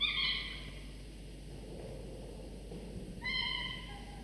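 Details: Falcon nestlings at 24–25 days old being fed in the morning by their father; two piercing harmonic whines, one at the start and one after a quiet gap of about two and a half seconds.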